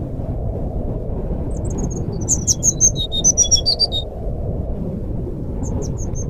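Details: Lure song of a forest flycatcher (sikatan rimba) for silent caged birds: faint opening whistles, then a brisk two-second run of high, clear notes sliding down in pitch, and a soft repeat near the end, over low hum.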